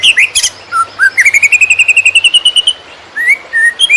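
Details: Greater green leafbird singing konslet-style as a training master: two slurred whistles, then a rapid even series of clear notes climbing slightly in pitch, followed by a few scattered rising whistles; faint hum in background.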